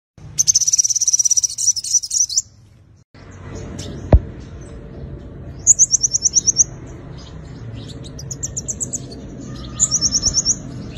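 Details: Five-coloured sunbird singing its fighting song, used as a lure: rapid high, thin trills of evenly repeated notes, one long buzzy burst at the start, then three short trills after a pause, with a faint low hum behind.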